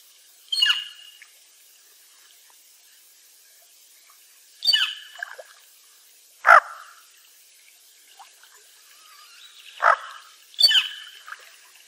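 A Bufflehead gives five short, harsh, squeaky calls at irregular intervals over about ten seconds, with quiet gaps between.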